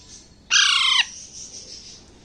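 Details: Young Alexandrine parakeet, a month and a half old, kept in Bangladesh and eating grapes, gives one loud, rasping, slightly falling squawk lasting half a second over a soft steady hiss.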